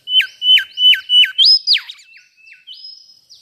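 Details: Mangrove whistler chirping sweetly: five clear whistled notes, each held level then dropping sharply, followed by a higher upswept note, softer scattered notes and a long, thin high whistle to close.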